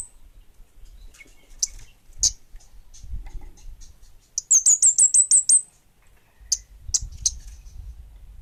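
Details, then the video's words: Orange-headed thrush, called kemade bunga api, in full song: isolated high sharp notes, then a tight volley of about eight shrill descending whistles, more spaced chips afterward, with a low rumbling background. "Suara Burung Kemade Bunga Api Gacor!!!"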